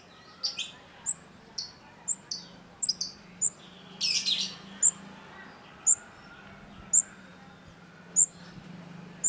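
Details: Long-tailed shrike (cendet) in full song, used to prompt silent shrikes to sing: sharp, very high chipping notes repeated roughly once a second, some doubled, with a brief scratchy burst midway over a faint low hum.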